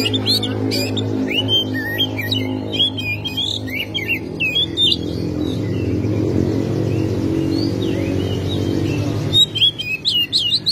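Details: Oriental magpie-robin in lively song, tail open, running through its repertoire as a lure for other magpie-robins: long series of short, sharp whistled and chipping notes over a steady low droning hum.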